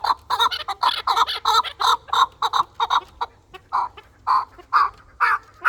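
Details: Chukar partridge kept for fighting, repeating clear, mid-pitched chuck notes in a steady rhythm of nearly three per second, pausing briefly, then resuming with louder, more spaced notes.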